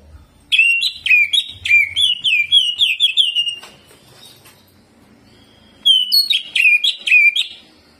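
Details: Greater green leafbird (cucak ijo) in energetic jamtrok singing with ciblek (bar-winged prinia) mimicry: rapid bursts of sharp, whistled chirps in quick runs, a quieter pause of about two seconds, then another loud burst; faint low hum beneath.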